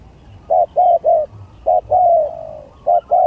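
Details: Spotted dove singing in a contest: loud, mellow cooing notes in quick pairs and triplets, with one longer drawn-out coo that slides gently downward before the short coos resume.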